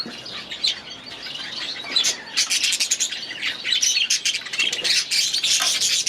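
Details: Young budgerigars, last year's babies now grown, in their new aviary during their first days there; dense high chirping and warbling chatter from several birds, with bursts of wing flapping.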